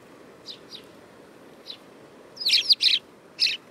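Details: Eurasian tree sparrow recorded in Japan on 25 September 2013 as the weather turned cool; a few faint short chirps early, then a loud cluster of three bright, sharp chirps near the end over quiet background hiss.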